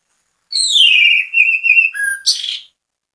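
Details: Lively orange-headed thrush singing as a lure so other birds of its kind join in. A long, slightly falling whistle is followed by a short low note and a harsh, buzzy burst, all in a clean recording.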